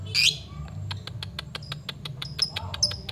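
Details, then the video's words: Lovebird of the Paud (ngepyak ngekek) type, wing-flapping and calling to challenge a rival fighter. Sharp high chirps open the clip, followed by a rapid series of dry clicks and brief squeaks, over a low background hum. "Lovebird ngepyak Memanggil"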